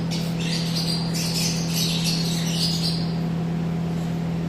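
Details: Yellow-collared lovebirds (Agapornis personatus) give rapid, shrill, squeaky chattering calls for about three seconds, then fall quiet, over a steady low electrical hum.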